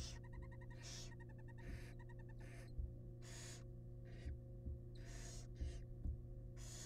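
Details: Wild barn owls in a nest box, the male delivering a huge rat to the family: fast chittering note runs give way to repeated harsh hissing screeches and a few soft thumps, with a low steady hum.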